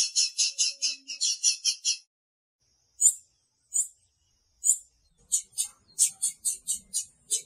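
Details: A female blue-black grassquit (tiziu) calls to stir up her male: rapid bursts of high, metallic chirping notes, then a few spaced single chirps, then another quick run of high chirps, with near silence behind.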